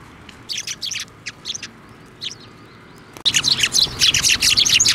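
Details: Several sparrows at a Tenmangu shrine, 23 November 2023, coming to the hand for food: sparse sharp chirps at first, then after about three seconds a loud, dense run of rapid overlapping tweets.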